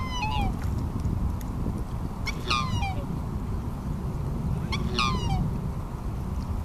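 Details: A black swan calling at Märkter Stau on the Rhine, Swiss/German border, gives three high, falling bugle notes, one every two and a half seconds, over a steady low background rumble.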